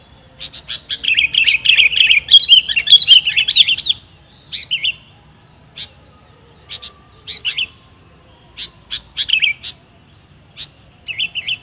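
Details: Sooty-headed bulbul, used as a lure sound: a dense burst of bright chirping notes for about four seconds, then short separate chirps and brief phrases at irregular intervals, on a quiet background.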